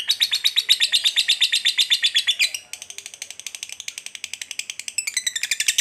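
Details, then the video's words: Lovebird fighter delivering a long ngekek trill used to goad another lovebird into fighting: fast, shrill, buzzy notes about nine per second, briefly softening mid-way, then resuming strongly. "SUARA BURUNG LOVEBIRD NGETIK NGEKEK PANJANG"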